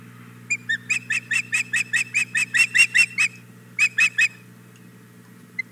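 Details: Female osprey at the Hog Island Boathouse nest begging for the fish the male has just brought: a run of about fifteen sharp, high whistled chirps, evenly spaced, then a short pause and three more, over a faint steady low hum.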